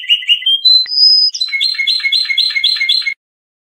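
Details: A trained Lor European goldfinch from Iran sings a training song for juvenile songbirds: tinkling twitters, a clear high whistle, then a quick run of repeated chattering notes, about five per second. No other sounds.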